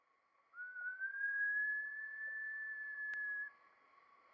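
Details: A green-backed kingfisher, a Sulawesi endemic, gives one long, clear whistle of about three seconds, rising slowly at the start, then holding steady. A faint constant tone hums underneath.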